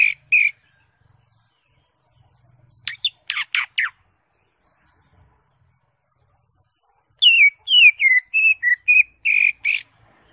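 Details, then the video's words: Greater green leafbird singing ngekek: scattered harsh buzzy squawks and sharp falling notes separated by silence, ending in a rapid chattering string of slurred whistles and buzzes, roughly three per second. "CUCAK IJO SUPER NGEKEK"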